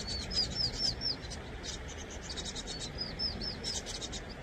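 Vinous-throated parrotbill giving thin, high chipping notes in two quick bursts of four or five, over a steady rushing hiss.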